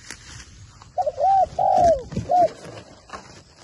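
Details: Spotted dove, a trained decoy bird used in trapping, giving a low soft cooing phrase of three smooth hooting notes, the middle one longest, with faint rustling in the background.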